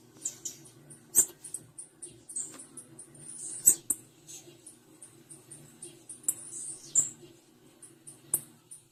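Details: A female blue-black grassquit gives rapid series of tiny high-pitched tsip notes, bunched into short buzzy bursts, punctuated by sharp clicks, with a steady low hum in the background.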